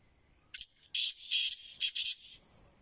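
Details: Harsh, scratchy call of a black francolin: five bursts in a clipped rhythm, short-long-long then a rapid double note, against quiet background.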